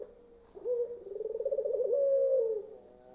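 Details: Loud Barbary dove of the Tangerin or Iraq type, played to prompt silent doves to join in: a single long, low, vibrating coo that rolls quickly then steadies into a smooth drawn-out note before fading, over a faint constant high hiss.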